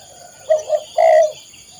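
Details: Part of a spotted dove phrase, recorded to train caged birds: two short soft coos followed by one longer, louder sustained coo, with a faint constant high-pitched hum behind.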